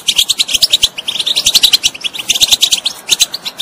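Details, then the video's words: European goldfinch song, played to stimulate a bird that is not singing: rapid, loud twittering with bright metallic chirps and trills, delivered in dense bursts with only brief gaps. "saka kuşu huylandırma بتبتة بتجنن طائر الحسون إن كان الطائر لا يغني"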